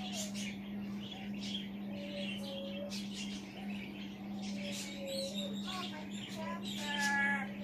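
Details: Pet African grey parrot, male, perched on a chair indoors, talking to himself in low murmured phrases with faint whistled notes, ending in a slightly louder buzzy harmonic call, under a continuous electrical hum.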